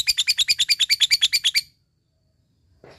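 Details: Fighter lovebird in full voice, chattering to call a rival: a fast run of about thirteen shrill, high chirps in under two seconds, then silence and a brief scratchy noise.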